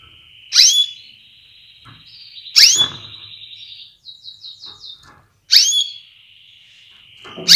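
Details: Calling female canary, meant to prompt males to get ready and sing powerfully. Three sharp descending notes over a steady thin whistled tone, broken by a short rapid trill, with a faint door-like knock.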